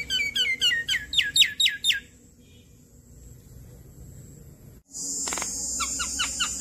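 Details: Lure recording of an adult Javan myna in full voice, meant to prompt other Javan mynas to call back. Quick bursts of sharp arched whistled notes, a pause with low hiss, then a harsh buzzy blast and more clipped whistled notes.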